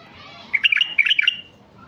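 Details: Caged colour-mutant male Iraqi bulbul, a stud bird singing to lure wild untamed bulbuls: one short burst of bright, liquid chirping notes, quickly jumbled together and then stopping, over a quiet background.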